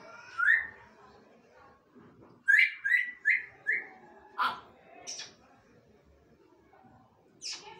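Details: African grey parrots, a bonded pair, give a run of short chirpy whistled calls, four quick falling notes in a row, then a few scattered sharper squeaks with quiet pauses between them.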